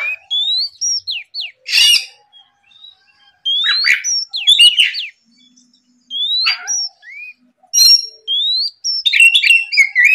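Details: Lure song of an Oriental magpie-robin in the morning, meant to stir rivals to sing: rising whistles ending in downward flicks, loud harsh bursts between phrases, and a busy scratchy twittering close.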